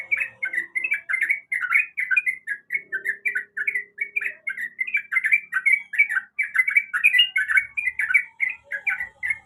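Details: A sooty-headed bulbul female calls for the male in a long, unbroken string of fast, rolling chirps. The notes tumble up and down in quick succession for the whole stretch.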